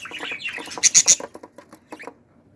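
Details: Budgerigar chicks of a pearl budgie family, 2018: hoarse rasping chatter with three sharp high squeaks in quick succession, then fading clicks and short chirps.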